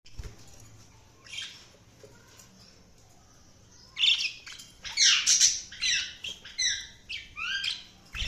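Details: Budgerigars chirping: bursts of bright, scratchy chatter and short rising whistles mostly in the upper range, sparse near the start and becoming dense and continuous over the second half, with quiet low hum beneath.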